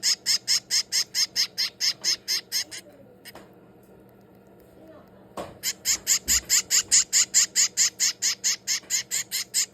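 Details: Finch chick, 22 days old, being hand-fed indoors, makes shrill, harsh begging notes repeated steadily about twice a second. The calling pauses for a few quiet seconds, then resumes just as insistently.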